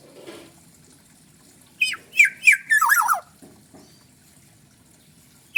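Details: Black-naped oriole from Bali, forest type, giving one short burst of rich whistled notes that tumble downward, followed by faint clicks and a quiet low background hum.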